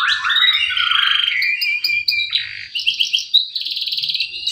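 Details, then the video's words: Male canary lure song to start silent canaries singing: low rolling warble rising into a buzzy trill, then clipped whistles and a high rapid roll. "Pancingan kenari macet bunyi || pancingan kenari paud"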